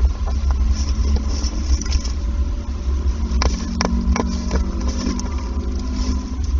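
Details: An idling car engine hums low and constant, with a few sharp clicks and no animal voice.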